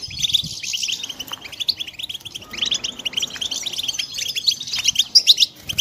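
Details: European goldfinch chicks calling: dense, overlapping high chirps and short squeaky notes, continuous and rapid throughout, from several young birds at once, with a few brighter whistled notes near the end.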